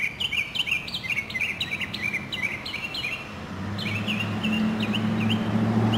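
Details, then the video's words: City-neighbourhood Northern mockingbird in South Carolina, spring 2008: fast series of looping, slurred whistled notes repeated many times, then spaced phrases as a steady low rumble of traffic-like noise rises underneath. "Voices of Spring: Mockingbirds"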